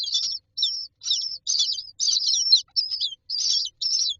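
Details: Several common myna chicks in a nest box beg for food with harsh, rasping high-pitched calls in bursts about every half second, with short silent gaps between.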